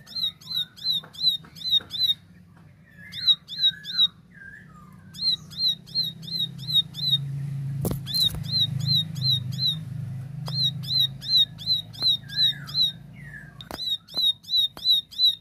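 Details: Plain prinia singing in a clear 'tembakan' style: series of sharp, buzzy, hooked notes repeated about three per second in bursts of five to ten, separated by short pauses, with a few lower slurred chirps, sharp clicks and a low background hum.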